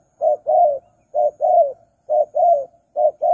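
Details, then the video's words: Spotted dove used as a lure for wild birds, giving steady paired notes: a short coo followed by a longer drawn-out croo, the pair repeated four times about once a second, mellow and clear. "Pikat Tekukur Burung Liar Kurang Galak"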